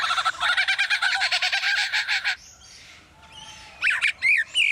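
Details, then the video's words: Captive male superb lyrebird at Adelaide Zoo imitating construction noises learned from nearby building work; a fast, harsh, pulsed burst like a jackhammer or drill for two seconds, a quiet pause, then scratchy rising and swooping mechanical-sounding notes. "Superb Lyrebird imitating construction work"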